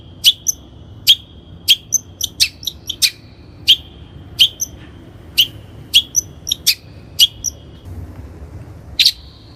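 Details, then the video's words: Lure recording of a long-tailed shrike (Lanius schach) used to train birds: a run of sharp, ticking high notes, each trailing into a thin steady whistle, spaced about half a second apart with small high chirps between, then a pause and one final note. "PANCINGAN CENDET GACOR COCOK BUAT CENDET BAHAN | THE LONG - TAILED SHRIKE SOUND"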